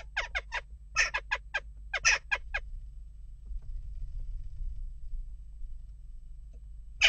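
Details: Western jackdaws during unrest at a nest box: two quick runs of harsh, clipped chak calls in the first few seconds, then a long stretch of low background hum until one abrupt call at the end.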